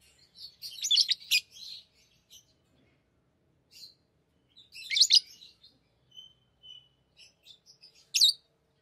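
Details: Lovebirds kept indoors as tame pets, playing with rings, utter clusters of shrill scratchy chirps, a faint thin whistle, and a final piercing squeak amid quiet gaps.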